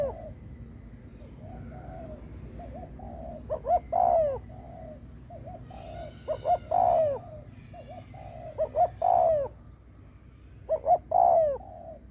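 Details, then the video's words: Decoy spotted dove cooing to lure wild doves: four loud phrases, each two short clipped notes then a long, downward-sliding coo, about every two to three seconds, with softer wavering coos between them. "Cu mồi đất gù kích bổi cực mạnh / Tiếng chim cu gáy kích bổi hiệu quả / cu gáy gù /Chim cu mồi gù"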